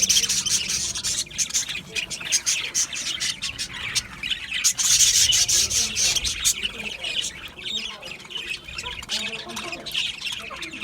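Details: Harsh, buzzy budgerigar chattering, steady rasping twitters run in quick succession, loudest around five seconds, with a few softer warbled notes later on.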